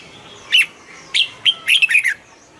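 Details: Red-whiskered bulbul kept in a cage, singing to excite other birds: three spaced chirps, then a tight burst of bright, twisting whistled notes lasting half a second.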